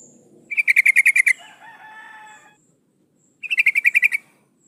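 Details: Sooty-headed bulbul female in breeding condition calling a male: two quick stuttering bursts of bright chattering notes, with a lower warbled, buzzy sound trailing after the first burst.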